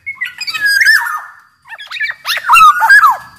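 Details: Black-naped oriole from Sumbawa, a large-bodied type, in full song as a lure for training other orioles: a sliding whistled phrase, a short pause, then a burst of rapid varied fluty notes that fall in pitch.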